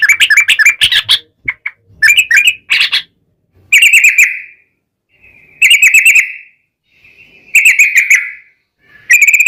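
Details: Sooty-headed bulbul song played to coax other bulbuls into singing: a rapid chatter at the start, then drawn-out slurred warbling phrases repeated about every two seconds with short silences between.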